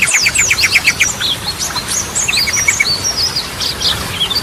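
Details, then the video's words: Energetic Yellow-vented bulbul song used as a training lure, featuring Goklikan, Ropelan and Garudaan styles. Opens with a quick repeated chip series of about four notes per second, then looping high whistles and falling slurs. "Ragam Suara Burung Trucukan || Goklikan, Ropelan, Garudaan Cocok Buat Pancingan"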